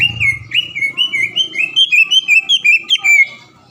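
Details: Green leafbird lure song used to provoke a rival bird into singing at once: a rapid run of clear, slurred whistled notes, some rising and some falling, about two or three per second, over a faint low hum.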